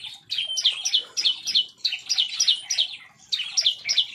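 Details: In an aviary, an excited bar-winged prinia fires off bright, sharp upslurred chips close together, two quick bursts separated by a short gap.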